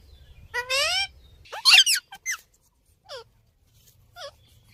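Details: Rose-ringed parakeet (Psittacula krameri) gives a few harsh, squeaky calls: a buzzy rasping note, a sharp screech, then two short downward squawks, with a low hum underneath.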